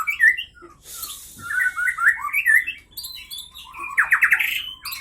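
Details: Aceh Leuser white-rumped shama, caught 2012–2015 in Pining, Gayo Lues, singing in its cage during a fight; spaced sharp notes, a harsh hiss, looping whistled phrases, then a fast rising trill.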